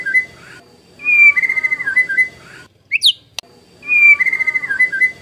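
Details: White-rumped shama song played as a lure: softer repeated phrases of wavering whistled notes with a steady faint high tone, a brief sharp upsweep between phrases.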